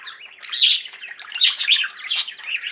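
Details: Close, lively warbling of pet budgerigars in a singing flock: a short rush of scratchy chirps and squeaky twitters, with three louder bursts rising out of the chatter.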